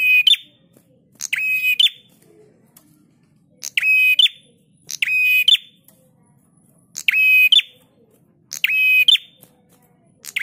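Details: Prinia singing in pairs of buzzy phrases: each pair of harsh, steady-pitched notes is followed by a pause of over a second, the pattern recurring through the recording. Used as a master recording to train caged birds.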